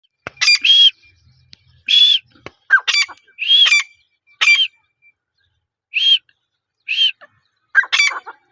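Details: Female grey francolin: short harsh bursts, each with a clear high whistled note, come in irregular groups about once a second over a quiet background.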